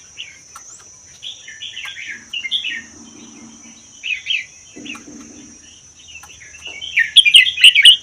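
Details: Captive red-whiskered bulbul taken from the wild in the Vietnam–Laos forests and kept one year, singing a doubled song style. Scattered liquid phrases build to a loud, rich flourish at the end, with a low buzz and a constant high whine.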